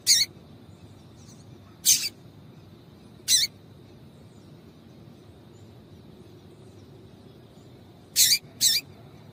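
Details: Calls of a female double-collared seedeater, played to excite a male into song: five short, piercing high chips at irregular gaps, the last two in quick succession, over a low steady hiss and faint whine.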